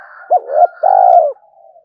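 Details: Spotted dove calling in the morning to challenge a wild rival dove: a short rising note, then a long, loud, slightly falling coo, with a fainter dove cooing in the background.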